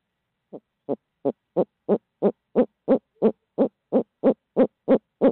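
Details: Barred owl at Midtown Tulsa delivering fifteen evenly timed, low hollow hoots, about three per second, swelling from soft to loud, in otherwise quiet surroundings.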